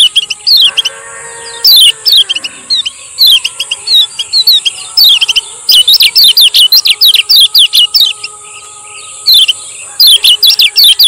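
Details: Male lemon-bellied white-eye from Lombok, a 'ciak ciak' song used to train and lure silent birds: bursts of sharp, high, down-slurred chirps in quick runs, with pauses between, over a steady high hiss and faint low hum.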